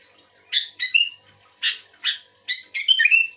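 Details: Sooty-headed bulbul answering another bulbul with sparse, scratchy chirps mixed with short, clear whistled notes that slur downward, ending in a quick chattering phrase.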